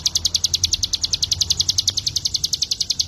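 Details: High, rapid, evenly spaced chipping notes from a mountain white-eye (ciblek gunung), a song meant as master material for teaching other birds; about seven notes a second over a soft low rumble.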